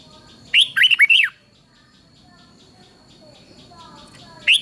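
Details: Singing red-whiskered bulbul, Thailand, a stimulating song for other bulbuls: one rapid phrase of four or five bright, looping whistled notes, then quiet with faint twitters and a final note starting at the end.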